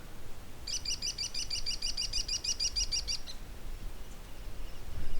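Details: An American kestrel, juvenile and male seen together and later two juveniles with a male, calls midair in a fast, shrill series of about twenty high klee notes over two seconds, over low rumble of wind or traffic.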